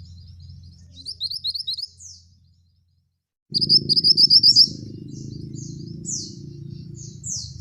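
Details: A male scarlet minivet, singing energetically. Sharp, high whistles slur downward in quick series, with a fast run of bright staccato notes midway, over a constant low rumble.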